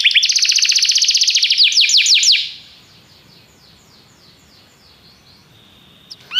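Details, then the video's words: Canary song opening with a loud, fast rattling trill, followed by several sweeping notes that fade into quiet background hiss for the last few seconds. "Seu canário cantou imediatamente depois de ouvir este canário"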